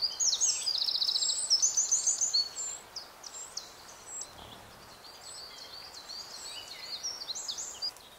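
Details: Eurasian wren in Berezinsky Biosphere Reserve, Belarus: its song opens with a loud, rapid burst of high trills lasting about two and a half seconds, followed by softer high chirps from other birds.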